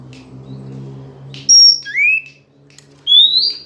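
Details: Female Oriental magpie-robin singing to rouse males. After a low humming background, a high clear note, a shorter upslurred whistle, a pause, then a long rising whistle.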